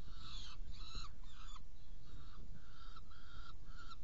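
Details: Saker falcon in Hungary on 16 June 2018 at 18:57 during prey delivery and feeding two young: slower, drawn-out nasal notes, some blurred and harsh, spaced about half a second apart, over steady low rumble.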